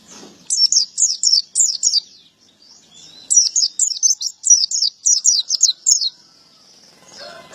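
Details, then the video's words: Two lively phrases of piercing, rapidly repeated high chirps from a male white-eye, or pleci, in ngalas ngeplong style, with soft twitters between the phrases. "Burung pleci gacor jantan"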